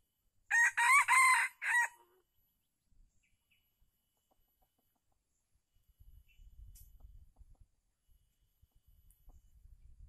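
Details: Red junglefowl in Calang, Aceh Jaya, where a wild bird was lured by a captive decoy on 12/02/2020: one loud, rasping multi-part crow at the start, then near silence, with soft rustling and low rumbling later on.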